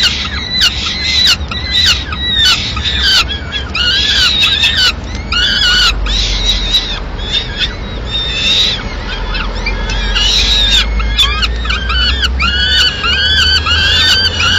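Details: At a Madrid peregrine falcon nest, the female arrives carrying pigeon remains mid-morning; a busy jumble of short harsh chittering notes and brief wails, overlapping and irregular, over a low background hum.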